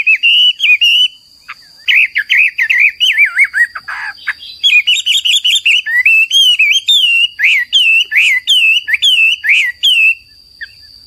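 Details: Hwamei singing loudly and continuously: long sequences of rich, wavering whistles and looping slurred phrases repeated many times, a brief harsh burst midway, under a constant high electronic hum.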